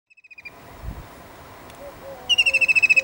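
A White-throated kingfisher gives a fast, shrill, whinnying trill of sharp notes, about a dozen per second, a faint burst then a loud one, over soft background hiss.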